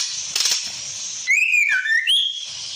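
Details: Female white-rumped shama calling the male, used as a lure: a clear whistled phrase starting high, sliding down and dipping, then rising again into a short high note, after a brief hissy burst.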